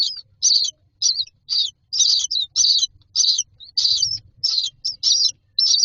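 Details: Common myna chicks waiting in a row for food in a nest box call steadily with harsh, high, buzzy begging squeals repeated roughly twice a second, over faint low rustling.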